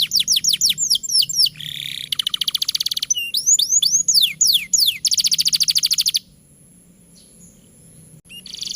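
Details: Canary in full, long song, used as a master recording to prompt young or reluctant canaries to sing: rapid downward-sweeping whistled notes, fast buzzy trills and rattling tours in quick succession, then falling quiet after six seconds.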